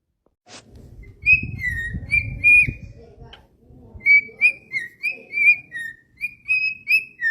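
A cockatiel whistles a string of clear, slurred notes, some rising and some falling, in a quick tune.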